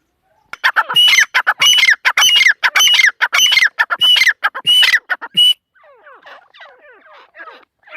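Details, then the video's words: Rapid run of loud, grating partridge calls from a female teetar, closely spaced and repeated for about five seconds, then fading into faint, softer squeaky notes. "mdi ke Awaz # tetar sound # Teetar Voice"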